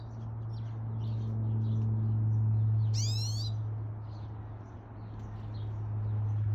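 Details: Pine Siskin visiting a backyard feeder in Calgary, Alberta, on a morning in August 2021: soft scattered twittering notes, then a single strong upslurred buzzy call midway, with a constant low droning hum underneath.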